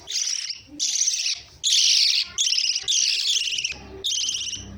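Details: Shrill, rasping lovebird calls in sustained bursts of about half a second to a second, loud and nearly continuous, with a faint low background rumble.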